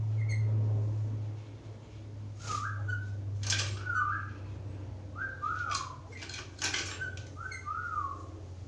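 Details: Vocal black-capped lory used as a master recording for other birds gives short whistled notes that bend down then up, repeated about every second, with clicks between them and a steady low hum throughout.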